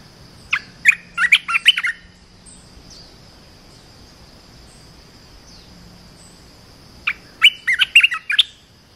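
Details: Red-whiskered bulbul song for training young birds: two bursts of lively warbled whistles separated by several seconds of low hum and a steady high-pitched whine.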